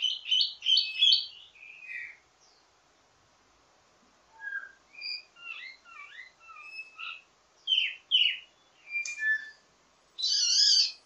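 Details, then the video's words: Varied ledekan song of a wambi mini, an Indonesian songbird kept to teach birds of its kind: rapid scratchy notes, scattered thin chips and slurred whistles after a brief gap, ending in a loud harsh burst. "Ledekan Wambi mini Full Gacor Banyak Vareasi"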